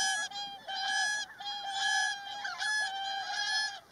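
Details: Several whooper swans fighting, trumpeting loud nasal honks in a steady series of drawn-out notes, about one per second, separated by short pauses.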